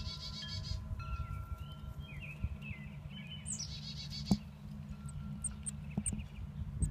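Chickadee chicks give high, buzzy, rasping begging bursts and thin chirps in short runs, over a steady low rumbling hum.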